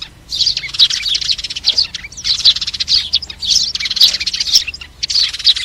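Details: Flock-gathering calls of sparrows, used as a trapping lure: four clustered bursts of bright, rapid chirping separated by short pauses, many birds overlapping.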